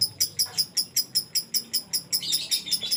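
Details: Lovebird singing in the ngekek style: sharp, shrill high-pitched chirps in an even run, about two and a half per second, growing denser and more buzzy toward the end, with no other clear sounds.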